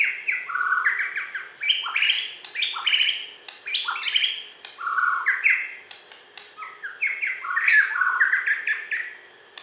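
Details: Borneo white-rumped shama, a champion contest bird from West Kalimantan, pouring out continuous varied song: quick runs of stepped, bright whistles rising and falling, phrase after phrase with barely a pause.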